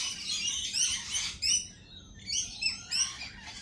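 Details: Lorikeets giving piercing, scratchy shrieks in short bursts separated by brief pauses, each burst a dense cluster of shrill notes, the loudest near the middle and end.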